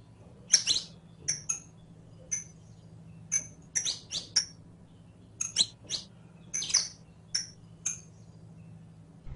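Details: Scattered sharp, high chips and short trills from a captive saffron finch, played to teach another bird to sing, with irregular gaps and a steady low hum in the background.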